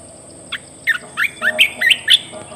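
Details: Red-whiskered bulbul in a cage giving a lively burst of about seven chirpy whistled notes, each a fast up-and-down sweep, growing louder and brighter through the phrase, with a constant faint high-pitched hum behind.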